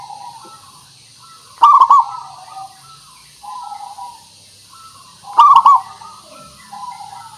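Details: Zebra dove, local perkutut, singing to lure other birds into song; two loud rolling coos almost four seconds apart, with quieter cooing phrases before and after.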